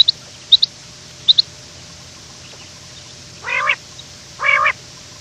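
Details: Quail in the morning, described as running: a few faint sharp chirps early on, then two loud nasal, harmonic-rich calls about a second apart, each lasting about a third of a second, over a quiet steady background hiss.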